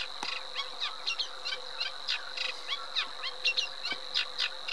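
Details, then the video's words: Eurasian reed warbler singing a run of quick, churring and chirping notes, some sliding downward, with a couple of sharp clicks and a constant high hum throughout. "Cserregő nádiposzáta"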